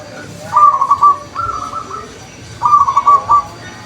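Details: Wild zebra doves answering each other: short bursts of quick, bubbling trilled coos around mid pitch, three phrases in under four seconds with pauses between, over a low background hum.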